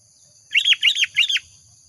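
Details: Sooty-headed bulbul lure call: three quick, slurred, downward-sweeping whistled notes in under a second, clear against a faint low hum.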